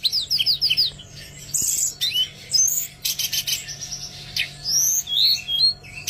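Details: Oriental magpie-robin song for encouraging birds that will not sing: quick series of high whistled slurs, harsh buzzy bursts and sweet upward-sweeping notes, varied and lively, with a low background hum.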